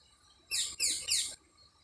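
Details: Birds chirping among trees at Anuradhapura, Sri Lanka: three quick, very high chirps that each sweep downward, run together in under a second over a faint low background hum.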